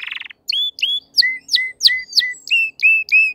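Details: Singing crested canary: a short buzzy rattle followed by a slow, measured series of clear whistled notes, each rising then levelling, about three per second.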